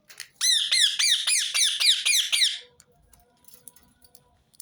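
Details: Repeated rose-ringed parakeet call played to start other birds singing: a rapid string of about nine shrill, rasping screeches, then near silence.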